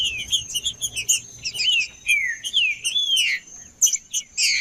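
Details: Male green-winged saltator song meant to warm up other birds: a series of smooth descending whistles follows rapid high chirping, with a steady high-pitched tone running behind.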